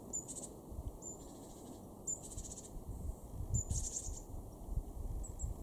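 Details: Great tit calling in a garden in Weener, East Frisia, northwest Germany, in January 2023. Brief high pip, each followed by a raspy buzzing churr, repeated about once a second, three times. Low rumbling noise fills the background.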